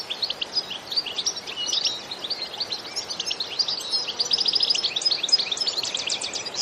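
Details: Energetic bitbita song from a European goldfinch, unedited natural sound: a continuous chatter of high, clipped twittering notes with tinkling trills, steady over faint background hiss.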